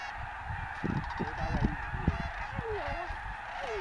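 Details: Wintering snow geese at Bosque del Apache National Wildlife Refuge give a steady babble of clipped honks, with several drawn-out nasal calls that dip and rise toward the end.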